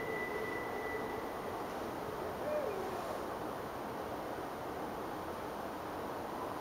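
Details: Owls calling back and forth from trees in Richmond, Virginia, on a January night in 2012, heard from a porch above the James River. Faint low hoots at the start and near two and a half seconds, over a steady hiss of background noise.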